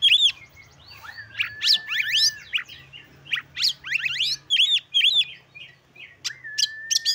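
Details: Caged Oriental magpie-robin in full song meant to provoke other males and lift their breeding urge: a dense, rapid medley of sharp rising slurs, chattering notes and arched whistles, closing with a long flat whistle; low background hum.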